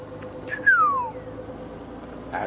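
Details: Magpie shrike calling on a sunrise morning safari drive on 27 July 2016, after overnight rain: a single clear whistle sliding smoothly downward over about half a second, against a low, steady background hum.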